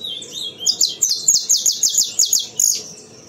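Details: Captive saffron finch singing in the 'sistemático' style: an opening whistled note, then about ten sharp, high, evenly spaced chirps in a quick steady series, ending in a buzzier note. A faint low hum runs underneath.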